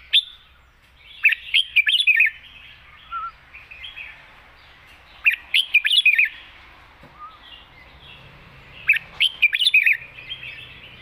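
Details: Red-whiskered bulbul in wild-style song, long phrases sung lightly: three separate bursts of quick, rollicking whistled notes spaced about four seconds apart, with a faint low rumble between phrases.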